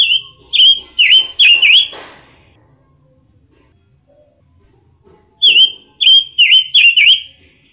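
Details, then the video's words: Orange-headed thrush song: two bursts of loud, ringing whistled notes repeated rapidly, separated by a few seconds of near silence. The bird is kept in Indonesia as a master tutor for other songbirds. "KICAU BURUNG PANCAWARNA || ROBIN BIRD VOICE"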